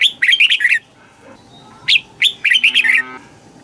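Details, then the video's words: Red-whiskered bulbul from Thailand, southern master-style song for exciting or teaching young birds: a fast warbled burst, a short gap, then a rising whistle leading into a bright run of looping notes. "เสียงนกกรงหัวจุก สำหรับต่อ หรือ เปิดให้นกคึก เสียงเพราะๆ"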